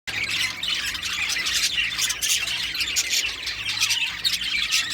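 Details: Female lovebird without an eye ring, a small parrot; dense, continuous high-pitched squawks and shrill chattering fill the whole stretch, with a faint low hum underneath.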